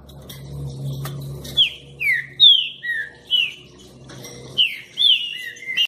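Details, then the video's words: A green-winged saltator (Saltator similis) sings rich, slurred whistled phrases, some falling and some rising, in a loose run of about ten notes over six seconds, with a faint low hum beneath. "TRINCA FERRO BRABO Green-winged Saltator / Saltator similis/ PEPÍTERO VERDOSO"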